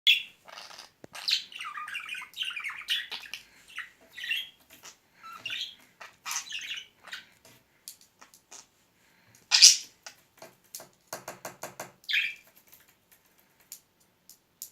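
A budgerigar chatters in bursts of high, scratchy warbles and squeaks, with a run of quick clicks.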